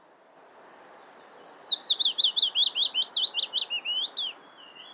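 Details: Willow warbler (Phylloscopus t. trochilus) in June 2020 at the Harchies marsh, Belgium, sings a sweet, liquid phrase of about eighteen quick notes sliding gently downward over four seconds, with a soft background hiss.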